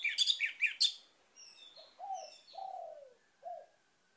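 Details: Orange-headed thrush song used to prompt a silent bird into singing: a second of loud, rich, overlapping high phrases, followed by softer thin whistles and lower, drawn-out, falling hollow notes.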